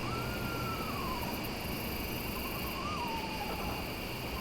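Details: Eastern Screech-Owl at night near a trail, throwing its voice so it first seems far away but is very close: two soft, descending whinnies, the second with a brief quaver, over a steady hiss and hum of night insects.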